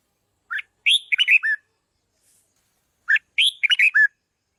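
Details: Red-whiskered bulbul singing to train its voice and spur decoy birds: two loud phrases about two and a half seconds apart, each a short note then a quick run of bright, warbled whistled notes, over silence.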